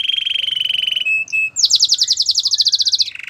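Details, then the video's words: Belgian singing canary opening with a steady pulsed low trill, a couple of pure whistled tones, then a fast, bright, buzzy trill of repeated high notes. "A special canary to seduce all the canaries - The belgian singing canary"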